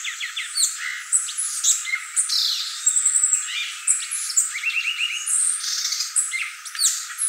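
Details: Violaceous euphonia singing a dense, chattering medley of high twittering notes, sharp downslurred squeaks and a sustained thin whistle, with a quick series of short rising notes midway.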